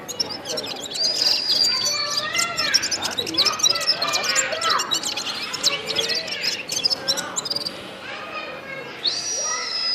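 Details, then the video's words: A gulsar bird sings a busy run of clear whistles and quick chirps, sliding up and down in pitch, with several phrases overlapping throughout. "Gulsar bird singing ګلسر مرغی"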